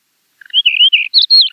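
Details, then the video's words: Finsch's wheatear song, a species of high, barren, rocky mountain slopes: a brief phrase of low soft notes rising into clear whistled warbles, ending in a few high scratchy notes, on a silent background. "Finsch's Wheatear - Songs"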